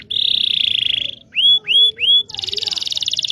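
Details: Local Indonesian canary used as a singing lesson for young canaries: a smooth buzzy trill, three rising slurred whistles, then another rapid rolling trill.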